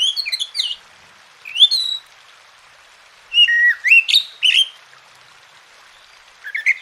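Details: Oriental magpie-robin song for training quiet birds to sing: short, scattered whistled phrases of sweeping upslurs and chirps, softer, with pauses between, over a faint hiss.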